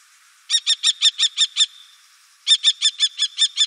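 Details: Common kestrel in the Wittlicher Tal, 2018, giving two bursts of sharp, harsh repeated 'kee-kee' notes, about seven quick notes per burst, separated by a short silent pause.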